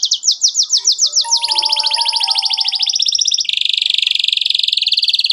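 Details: Canary song recorded as a tutor for young birds learning song: rapid high sweeping notes, then a long fast rolling trill with a faint steady whistle above, ending in a dense buzzy roll.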